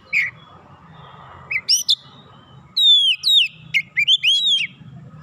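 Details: Oriental magpie-robin calling: loud clear whistled notes, some sliding down from high pitch, others rising, in short bursts with pauses, a faint low hum underneath.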